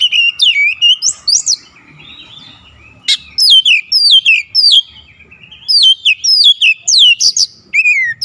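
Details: Oriental magpie-robin singing a long, persistent, varied song: many rapid whistled notes with steep sweeps, one brief pause with a click, then continuous bright phrases to the end.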